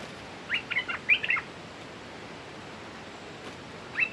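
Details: Red-whiskered bulbul decoy bird calling to lure a clever territorial wild bird that has beaten many decoys; two quick bursts of bright, chirpy warbled notes near the start, a short phrase at the end, steady background hiss.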